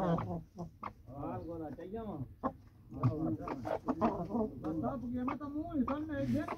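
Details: Chickens escaping the coop in a morning rush: steady low clucking and murmuring calls from several birds, repeated throughout with short sharp notes and light background noise.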